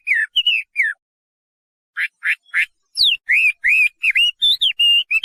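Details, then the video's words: Chinese hwamei song in short bursts: a few slurred whistles, a pause, three buzzy rising notes, then a quick string of varied looping whistled phrases. "画眉鸟的声音 The Voice of a Thrush"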